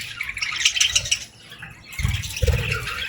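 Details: Short burst of baby budgie begging: quick, bright chirps in the first second and a half, a short quiet gap, then more chirping over dull thumps.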